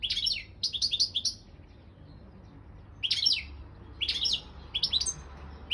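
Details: Balkan goldfinch, Carduelis carduelis balcanica, singing for an online world championship held by a Serbian breeders' association: quick clusters of tinkling, liquid twitters, delivered in two groups of short phrases with a quiet gap between them.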